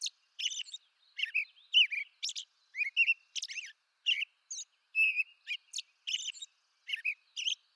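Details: American robin singing, eastern North America; a lively series of varied whistled phrases mixing mellow low notes with piercing high squeals, tightly packed with short pauses between.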